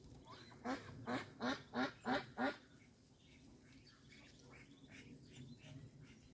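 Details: A Muscovy duck in the grass gives six short, hoarse quacking notes in a quick run, about three per second, then falls silent over a low outdoor rumble.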